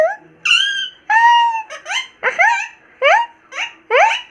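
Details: Pet Indian ringneck parrot indoors giving a series of harsh, harmonic-rich squawks, one long level note, then shorter upward-sliding calls spaced about half a second apart.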